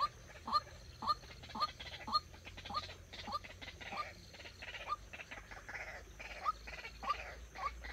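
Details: White-breasted waterhen trained as a decoy for trapping, giving a sustained string of croaking, rising notes at roughly two per second, with brief soft clucks in between.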